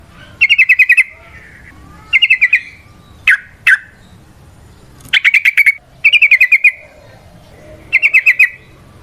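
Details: Sooty-headed bulbul, called trucukan, used to lure and train other trucukan: bursts of rapid, buzzy chattering notes around the mid-high range, each about half a second, repeated every one to two seconds with short sharp chips between.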